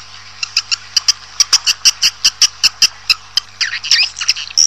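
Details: Swiftlet lure call for attracting a colony indoors: a run of sharp, evenly spaced clicks with faint high tones, ending in a brief twittering burst over a low steady hum.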